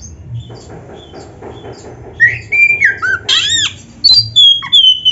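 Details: Oriental magpie-robin (kacer) in tutor-style song: faint notes at first, then loud slurred whistles, a sharp arched note and a long bright high whistle gliding down.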